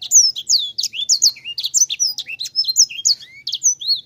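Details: Sanger bird delivering a busy, rolling song of bright whistled slurs, clipped chirps and downward sweeps, strung tightly together without a break across the whole stretch.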